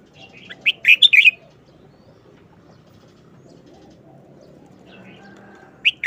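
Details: Caged red-whiskered bulbul delivering one quick wild-style phrase of five clear, bubbling whistles, followed by near silence and a last short note at the end.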